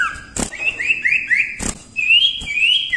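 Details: Common Iora in vigorous song for tutoring songbirds: a chain of rising whistled notes stepping upward, then two long bright whistles, punctuated by two loud clicks.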